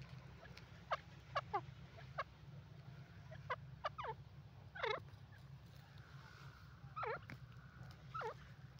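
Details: Grey francolin calls, known locally as dakni teetar: a series of sharp, loud notes with quick downward-sweeping harmonics, some doubled, spaced irregularly over nine seconds against a steady low hum.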